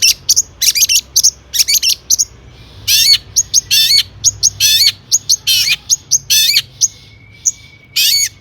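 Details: Long-tailed shrike song used to provoke other shrikes into singing: bursts of harsh, scratchy notes with sweeping upslurred whistles, varied and mimicking, delivered in rapid irregular phrases separated by short pauses.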